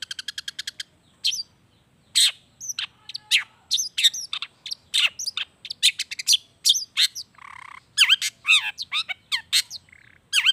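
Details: Lively Long-tailed shrike song full of natural mimicry, played as a lure for reluctant shrikes: a fast ticking trill, then a varied run of whistles, squeaks, slurred notes and a brief buzzy phrase, almost continuous.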